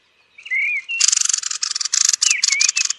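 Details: Thrush at roost: a drawn-out slurred whistle, then a sustained series of rapid harsh clicking notes with a couple of whistled slides mixed in.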